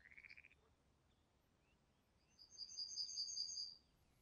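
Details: Common kingfisher in Niepołomice Forest, Poland, July 2020: a thin, high, slightly wavering whistle held for about a second and a half, after a brief buzzy pulsed note at the start, over faint background hiss.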